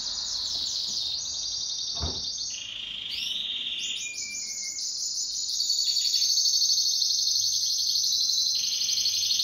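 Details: Pet canary singing a duet, long loud high trills and rolling tours with a second bird's rapid notes layered above, a sharp click near two seconds, growing louder toward the end.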